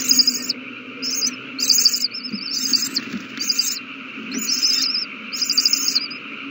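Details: Owl nestlings being fed, 27 March 2020. Hoarse, hissing screeches arrive in quick bursts, some followed by a thin quavering trill, with faint scuffing and a steady low hum beneath.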